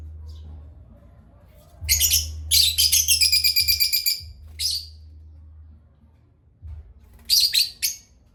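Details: A baby parrot chirping in bright, high bursts during playtime: one long stuttering run of rapid notes, then shorter squeaky calls, over a low steady hum.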